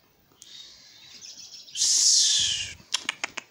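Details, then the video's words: A little owl, apparently calling back in reply, gives a long hissing, breathy screech that swells to a harsh peak, then ends with four quick, sharp chirps. "our super cute little owl chatting back with call"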